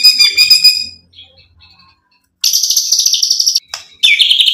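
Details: Buzzy trilled notes from a white-rumped shama (murai batu), sound used to provoke and excite, then a quiet pause and loud harsh high-pitched chatter in two bursts.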